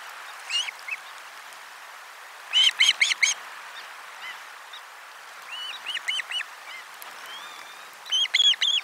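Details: Osprey at nest 4 on 12 July 2022 around a lunch fish delivery; scattered bursts of high whistled chirps in threes and fours over a steady background hiss.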